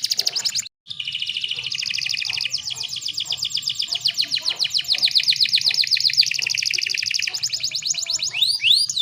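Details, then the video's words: Female canary sound meant to set male canaries singing: after a brief break, a long continuous rolling trill in shifting tones, closing with looping high whistled sweeps. "PANCINGAN KENARI BAHAN AGAR CEPAT BUNYI"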